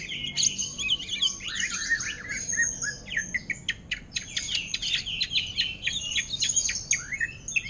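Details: Caged greater green leafbird in ngentrok song imitating orange-headed thrush, offered for sale. Rapid, jumbled, high warbling with clicking notes and quick descending whistles.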